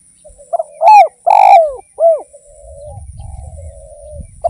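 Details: Spotted dove (derkuku) in full song for use as a lure: soft lead-in notes, then three rich arched coos with a long drawn middle note, followed by a quieter trailing murmur and faint low rumble.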